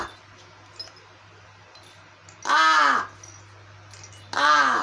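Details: Crow pretending to be hungry though not actually hungry, paying little attention to a child's rattle; two harsh, nasal, arching begging caws, each about half a second, separated by a quiet pause with a steady low indoor hum.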